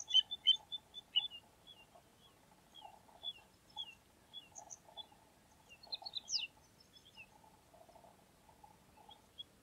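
Little ringed plover giving short, high, slightly down-slurred whistled notes in an irregular series, with a few higher chips and a low buzzy hum underneath.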